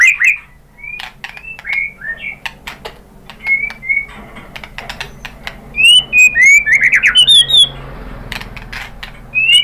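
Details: Lure song of a white-rumped shama, meant to provoke other shamas to answer: scattered whistled slurs and dry clicks, then a fast rising run of bright ascending whistles near the end, over faint background hum.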